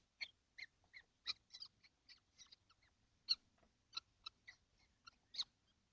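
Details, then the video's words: Kestrels, seven of them together in a nesting box on a hot June day in 2025, give a steady series of short, high, clipped notes. They come about every quarter to half second, with one louder chip midway. "Kestrels - all 7 in the nesting box - it's hot"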